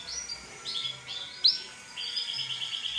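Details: Male yellow canary singing softly: high sliding whistles, a sharp note, then an even rapid trill of repeated notes.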